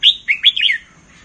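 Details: Single clear warbled phrase from a caged red-whiskered bulbul in Thailand, kept for counted song phrases: three or four quick, bright, slurred notes that dip and rise, then silence.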